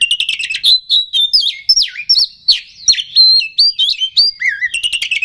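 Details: Oriental magpie-robin song aimed at provoking rivals, full of rapid chips, swooping whistles and short dropping slurs, notes tumbling quickly with brief gaps.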